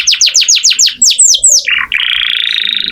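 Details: Canary singing as training audio for other songbirds: a quick series of descending whistled notes, a short warble, then a steady buzzy rolling trill.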